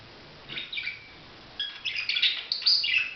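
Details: Budgerigar chattering softly at first, then louder with raspy, squeaky chirps running together over the last second and a half.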